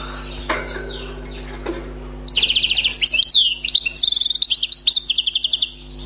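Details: European goldfinch, a recently trapped wild bird with a song called faultless, gives fast buzzy trills and tinkling twitters in two dense bursts separated by a brief pause, over a constant low electrical hum.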